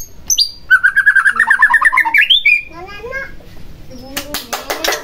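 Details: White-rumped shama song used to rouse a reluctant shama to sing. Sharp opening whistles lead into a quick, even chain of chirps that rises at the end, then softer low notes and a few crisp clicks.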